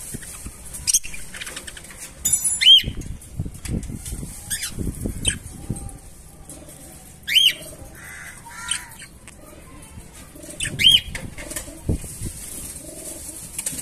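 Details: Baby budgerigar giving brief, sharp upward chirps every few seconds amid bursts of fluttering wings.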